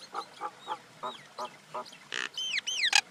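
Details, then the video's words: Common myna calling: a run of six short harsh notes, then a raspy burst and several loud downslurred whistles with sharp clicks. "Common Indian Myna sound"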